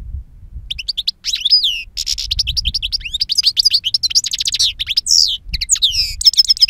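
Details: Wild-style song from a two-year-old European goldfinch with powerful timbre and long calls: scattered chirps build into rapid tinkling trills, downward-sliding buzzy calls and ringing repeated notes.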